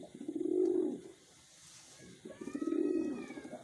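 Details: Wild pigeons kept in captivity: two low, throaty, rolling coos about two seconds apart, each swelling and fading, with faint background noise.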